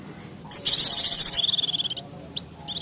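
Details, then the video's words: Mountain white-eye used as a lure for wild birds, giving a noisy call: a dense burst of high, buzzy, rapidly pulsed chatter lasting about a second and a half, followed by two short high chips. "Suara Pleci Ribut Sangat Ampuh Pikat Pleci Liar Dan Burung Kecil Lain nya"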